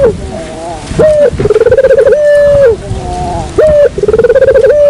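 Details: Low dove coos used as a lure sound: a short hoot, then a fast throbbing trill that ends in a long steady tone, repeated twice, with faint noise under them.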